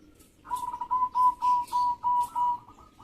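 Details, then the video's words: Local zebra dove in full voice, its singing used to spur rival doves to respond. A soft run of about seven even, mellow cooing notes is evenly spaced over two and a half seconds against a faint background hum. "Perkutut Lokal Gacor Respon Cepat Bikin Lawan Langsusung Bunyi"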